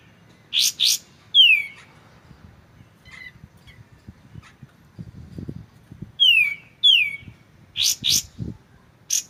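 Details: White-shouldered triller, kapas tembak, in a clear-voiced tutor recording with pauses: paired sharp high bursts, then two loud descending whistles sliding down, a soft quiet gap, and later more down-slurred whistles and bright chips over a low background murmur.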